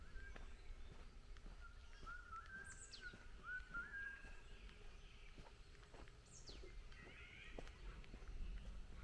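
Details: Wild birds singing on a morning walk along the Baekyangsa forest path: thin, level whistled phrases and a couple of high, steeply falling notes. Soft footsteps and a steady outdoor hiss run underneath.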